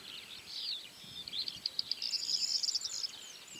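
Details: Corn bunting (Emberiza calandra) singing at Julków, Poland, 28 May 2017: a few dry, high ticks speeding into a brief glassy jangle like shaken keys, over soft background hiss.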